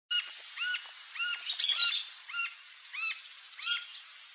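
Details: Green-barred woodpecker calling: a series of short, arched, ringing notes repeated about every half second, over a steady high hiss of background insects or wind.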